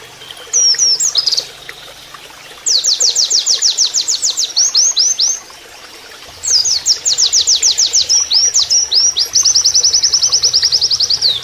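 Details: High canary-like song of an Oriental white-eye, used as a training master: bursts of loud downslurred whistles and rapid ringing trills, several seconds each, separated by short silent pauses.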